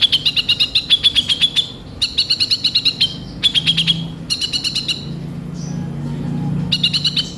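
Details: Kolibri ninja sunbird singing energetically with rough filler phrases: repeated runs of quick, piercing high chips lasting about a second each, separated by short gaps, with a faint low hum underneath.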